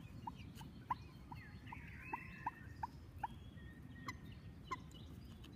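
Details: Common moorhen chicks calling: clear, brief downward peeps repeated roughly every third of a second, then sparser, with a songbird trilling faintly behind and low environmental noise throughout.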